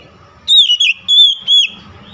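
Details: Brief oriental magpie-robin phrase used as a lure against a rival: three or four sustained, pure whistles, slightly wavering and falling at their ends, over faint low background noise.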